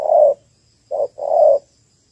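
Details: Female Malaysian spotted dove calling to excite males, as a trap lure; three soft low coos, one long, a pause, then short and long, in a quiet setting.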